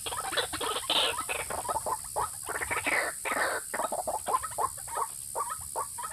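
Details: White-breasted waterhen lure call used to attract males and females: harsh, noisy croaking notes in quick irregular bursts, some with rising tones, over a steady high background hiss.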